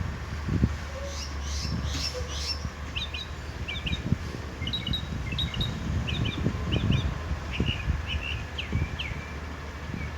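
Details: Northern mockingbird in a pear tree in Salinas, California, mimicking other birds: a varied run of short doubled chirps and clipped notes, phrases repeated in sets, with steady low traffic-like rumble beneath.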